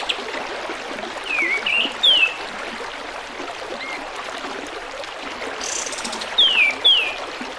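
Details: Bulbul known as kapas tembak, in a tutoring recording with running water: scattered short whistled phrases, some wavering, then a brief rattle and a closing pair of falling whistles, all over a constant splashy trickle.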